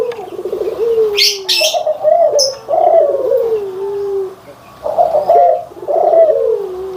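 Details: Barbary doves, white and brown birds compared for their cooing: a series of low, rolling coos that fall in pitch, each about a second long, with sharp high chirps from small birds in between.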